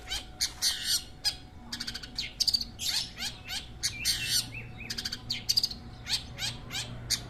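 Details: Song of a long-tailed shrike (cendet) among local hobbyists: dense, energetic chattering with rapid trilled buzzes, scratchy squeaks and sharp chips running continuously, over a steady low hum.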